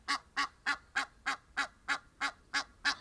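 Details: Egyptian geese in an open natural setting during a wing-stretching display; rhythmic, hoarse honks about three per second, each a short nasal burst, continuing without pause.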